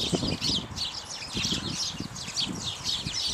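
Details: House sparrows, several males and at least one female, feeding on bird seed; bright overlapping chirps over steady low rustling and fluttering.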